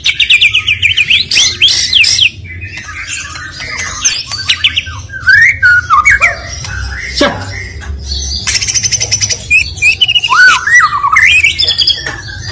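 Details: Stone magpie singing a loud, varied song of bright whistled phrases, rising and falling slurs and harsh squawky bursts, delivered in rapid uneven runs with short pauses; a low steady hum underneath.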